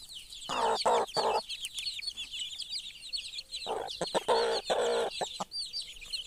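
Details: Mother hen among her chicks gives clusters of low, throaty clucks in two bouts, with a quiet pause between, over continuous high, rapid peeping from the chicks.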